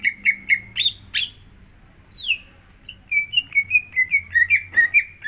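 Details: Greater green leafbird singing as bait to trigger another leafbird's song: rapid repeated chips, a sharp upward flick, a long sweeping downward whistle, then a quick series of slurred, falling notes.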